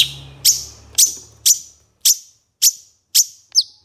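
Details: Training master of a long-tailed shrike: a run of seven crisp, high, falling chips spaced about half a second apart, ending in a slightly different twisted note. A soft hum fades out early.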